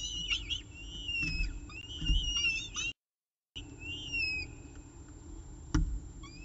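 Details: Peregrine falcons at the CSU Orange nest, evening meal on 18 October 2018, 6:51 pm, nest camera: long, slightly rising and falling high whines, broken by a short gap, over steady low-frequency hum.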